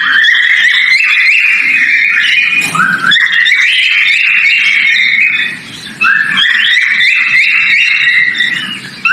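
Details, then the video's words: Whistled mating call of a breeding male cockatiel: flowing sequences of clear notes that rise in small steps, repeated in several phrases with a brief lull late on. "Mating Call Male Cockatail Whistling Sound Of Breeding"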